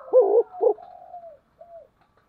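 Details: Spotted dove in vigorous thúc gù cooing. Two strong, throbbing coos fade into soft, drawn-out whistled notes from another bird.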